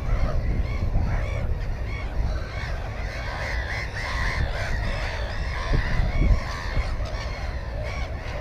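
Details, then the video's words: Black-headed gull at its nest holding one egg and one chick, filmed 15 May 2016 on a GoPro 4: harsh, overlapping nasal calls rise and fall steadily throughout, several birds calling together over a constant low rumble. "Озерная чайка"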